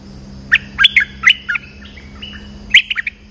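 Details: A bulbul (merbah lekir) lure-call recording: a burst of bright, chattery notes, a quick run of about five in the first second, then a pause and three more, over a low steady hum.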